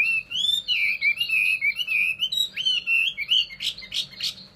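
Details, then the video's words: Chinese hwamei pouring out loud, liquid whistled phrases that waver up and down without a break, ending in a few sharp, explosive high notes. "họa mi"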